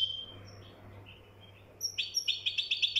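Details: Moroccan goldfinch giving soft, thin notes at first, then breaking into a rapid, pulsing string of high chirps in the last second, over a steady low hum.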